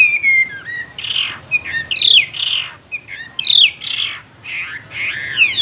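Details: Caged Chinese hwamei singing a loud, varied song of rich whistled phrases, steep downslurred notes and harsh rasping bursts, delivered in rapid bursts with brief pauses over nearly six seconds.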